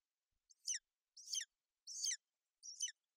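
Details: Golden eagles in Bucovina on 28 May 2021, the mother sheltering her chick on the nest from bad weather. Four buzzy, high chirps fall in pitch, spaced about 0.7 seconds apart.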